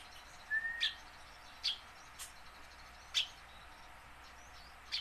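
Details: Tame house sparrow kept to draw newly caught wild sparrows into singing: sharp, short chirps spaced about a second apart over steady background hiss, with one thin level whistle early on.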